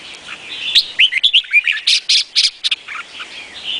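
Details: Singing red-whiskered bulbul of the Vietnamese type. A lively string of slurred whistles and sharp chirps runs at about two per second, then fades into softer warbling.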